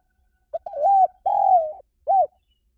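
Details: Spotted dove calling, a recording used to lure birds: a brief soft introductory note, then a low mellow coo, a longer sustained coo, and a short rounded closing note, clean and unhurried.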